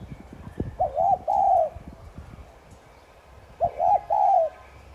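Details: Spotted dove giving a 'thúc gù' coo meant to stir caged doves into cooing: two low, mellow phrases, each two quick notes then a longer drawn-out coo, about three seconds apart over a quiet background.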